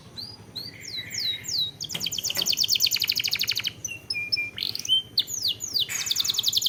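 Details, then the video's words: Canary singing as a lure for other canaries: looping descending whistles, then dense high rattling trills, short buzzy phrases and more sweeping notes in quick succession. "Pancingan Kenari / Masteran Kenari / Dijamin Langsung Bunyi"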